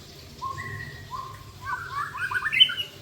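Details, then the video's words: Two clear flat whistles from a white-rumped shama among birds swapping mimicked song material, followed by a quick rising cascade of chirpy trilled notes. "Murai saling bongkar isian mewah"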